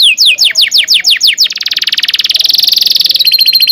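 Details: Canary in a long rolling song played to train young canaries: descending whistled notes repeated briskly, then a fast dense buzzy roll lasting over a second, ending in a clipped pulsing trill.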